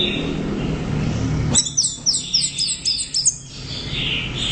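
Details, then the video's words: Orange-headed thrush, anis merah, giving a quick series of about eight descending high slurred notes after a burst of noise, with background hiss throughout. "Suara Burung | ANIS Merah Gacor Volume Keras Teler Mantap"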